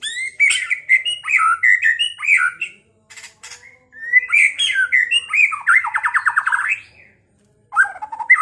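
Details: White-rumped shama singing to provoke a rival to fight and sing: a long stream of loud varied whistles and squeaky notes, a fast rattling trill of repeated notes, then a brief pause.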